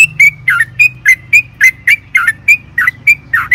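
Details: Sooty-headed bulbul, a singing lure for other bulbuls: a lively string of clear whistled notes, some rising and some falling, about four a second with short tails linking them.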